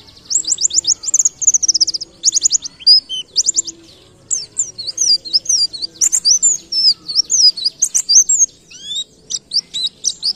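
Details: White-eye (pleci ngalas) tutor song in the canary-like 'nembak kenarian' style: rapid bursts of high, sharp repeated chirps, then a long run of twisting whistled notes and thin trills, almost continuous over ten seconds, with a faint low hum beneath.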